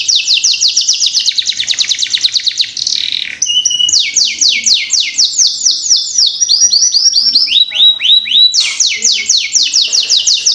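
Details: Canary singing as a prompt for young canaries: a long dense buzzy trill, a short whistle, then rolling series of falling sweeps that shift pitch in steps, with a further trill near the end.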